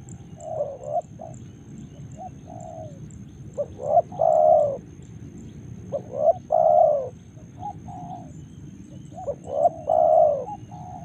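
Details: Spotted dove in Karawang repeating its cooing phrase about every three seconds, each a quick clipped note, a rising hoot and a long resonant coo, with softer intervening coos and a constant low rumble.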